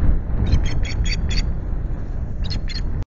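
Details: Osprey at a nest at Loch Garten on a 19 April morning, calling during repeated intrusions by another osprey: a run of short, high, harsh chirped notes, about six in a second, a pause, then two more, over heavy low wind rumble.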